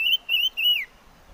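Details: Chim ngũ sắc singing three quick wavering whistled notes, the last gliding downward, followed by silence.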